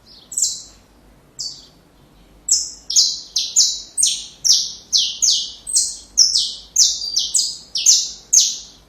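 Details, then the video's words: Saffron finch song meant for training young birds: a few scattered notes, then from midway a steady run of loud buzzy, high notes about two per second, alternating between a higher and a slightly lower pitch. "Canário da Terra Canto Perfeito Para filhotes"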